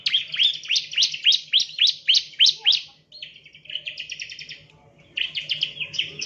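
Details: Bar-winged prinia chirps used as a lure for training birds: a strong, regular series of high downslurred notes, a brief gap, then softer trilled phrases, with quick bright chirps resuming near the end. A faint low hum runs throughout.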